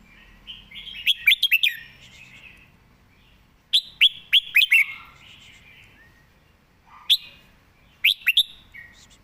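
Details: Red-whiskered bulbul singing while perched, noted for neat phrasing and quick delivery; several rapid clusters of ringing, bouncy whistled notes with faint chattering between them and a short lower note near the middle.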